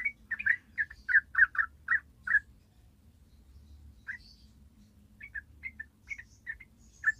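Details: Yellow-vented bulbul singing long rapid 'ropel' style, played as a lure for new birds: a quick burst of eight bubbly chirps, a pause, then sparser thin whistled notes over faint low hum.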